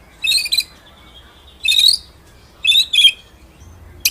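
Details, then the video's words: White-rumped shama song in the rolling, shooting ngeroll nembak style, kept as a master recording for training other birds: short bright chirping bursts, some with a rising slur, in four groups separated by quiet pauses. "BURUNG MURAI MASTERAN NGEROLL NEMBAK"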